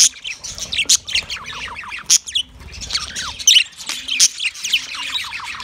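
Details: Chirping of a yellow male budgie during mating, rows of quick falling chirps in rhythmic runs mixed with sharp squeaks and a few clicks, lively and dense.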